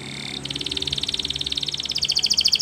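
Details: Belgian canary singing in the morning, a steady tone giving way to a long fast trill of high repeated notes that grows louder and slightly faster near the end.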